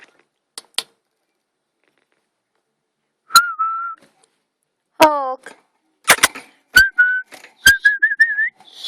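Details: A female pet Quaker (monk) parakeet guarding her eight eggs gives clear, steady whistles and short chirps broken by sharp clicks; she chirps fearing the eggs will be harmed.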